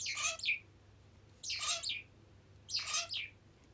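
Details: Pet zebra finch arriving for a massage with food left on its beak, giving three short, harsh, buzzy calls spaced roughly one and a half seconds apart in a quiet indoor room.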